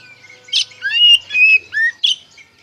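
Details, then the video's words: Oriental magpie-robin singing ngeplong-style lure song to provoke untrained birds into answering: a harsh burst, then three clear whistles, level, level and falling, and a final rasping note amid light twitter. "PANCINGAN SUARA KACER NGEPLONG GACOR DIJAMIN NYAUT KACER BAHAN"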